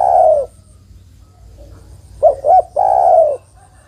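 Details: Female spotted dove calling for the male. The end of a long coo is followed by a pause, then a full phrase of two short hoots and a sustained, slightly descending coo.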